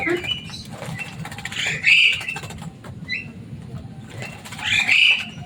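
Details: Javan myna kept in a cage, a noisy, loud-voiced bird that can mimic human speech, giving loud harsh squawks at start and end with softer whistled notes between, over background hum.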